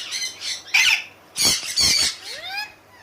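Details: Loud, raspy squawks from a parrot kept as a talking pet: several harsh bursts in quick succession, then a thin, rising whistled slide near the end. The bursts are uneven, and a person's speech is heard just before.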